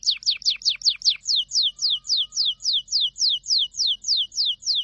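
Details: Canary song built from a series of clear descending whistled notes, at first quick, then slowing to about three per second, evenly repeated.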